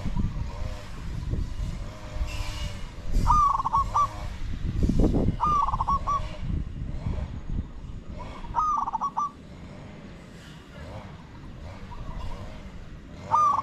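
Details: Spotted doves cooing during decoy luring of wild birds. Four rolling coo phrases of quick stuttering notes come every two to three seconds. Heavy low rumble of wind and handling sits between them, with fainter coos late on.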